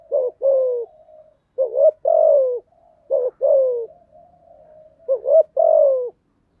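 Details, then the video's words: Spotted dove song for stimulating freshly caught doves to coo; four deep phrases, each a hooked double note followed by a longer descending coo, with quiet cooing between. "tiếng chim gáy dùng tập chim bổi mới hiệu quả/ tiếng gáy kích bổi gáy ngay"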